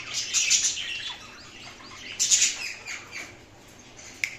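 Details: Indian ringneck parakeet chirping in harsh, scratchy bursts, two louder groups about two seconds apart with softer chatter between, plus a sharp click near the end.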